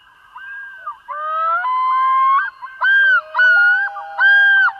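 A common loon yodels: loud, wavering tonal notes that rise and hold, repeated in a run of about five ringing phrases, with a faint steady hum underneath.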